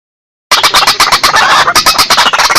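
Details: White-breasted waterhen calls used as a hunting lure for swamps and rice fields. Loud, harsh, rapidly pulsed croaking notes begin after a half-second silence and repeat in a dense, rhythmic, ratcheting chorus.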